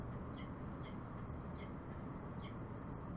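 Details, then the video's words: Bellbird with four ringing, bell-like notes spaced unevenly over a few seconds against a strong, steady background rumble. "Bell bird sounds"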